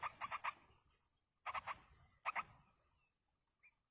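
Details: Yellow-vented bulbul chicks begging from a feeding parent in the wild, with three clusters of rapid, coarse, buzzy notes, three, three and two per cluster, each fading into quiet.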